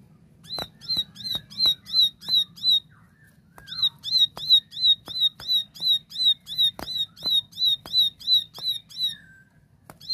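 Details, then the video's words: Plain Prinia (ciblek sawah) singing clearly: a fast run of sharp, high, buzzy notes, about three per second, pausing briefly mid-series, with a few clicks behind. "Tembakan Gacor Jernih Ciblek sawah"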